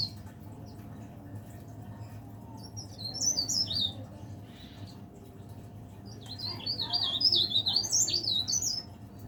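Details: Leaf warbler singing in a cage, a bird that sings from morning to evening: two bursts of quick, thin, high-pitched warbling notes in slurred zigzags, one short and one longer, separated by a quiet gap, with a constant low hum.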